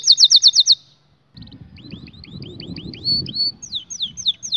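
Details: Canary song: a loud fast trill of about seven notes, a short gap, then spaced rising whistled slurs accelerating into a run, over a low rumbling background.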